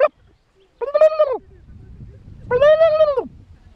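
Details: Suffolk turkey giving two clear arched calls, each about half a second, rising then dropping at the end, spaced under two seconds apart against a quiet background.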